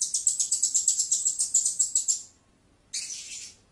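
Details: Blue-crowned hanging parrot producing a rapid, even series of piercing high squeaks for about two seconds, then silence and one harsher, buzzy high note.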